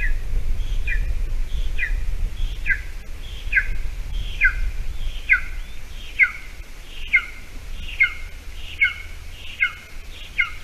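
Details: Golden eagle at a nest in Latvia, on an island near a bog, 28 June 2020 at 8:46 a.m., during food scarcity as a small mouse is brought for breakfast: thin down-slurred whistled calls repeated about once a second over a steady low rumble.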